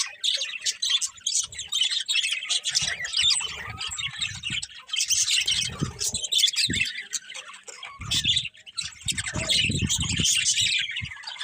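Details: Birds chirping in the morning, a thick chorus of shrill twittering and squawks, with a brief pause mid-way and occasional low thumps or rumbles underneath.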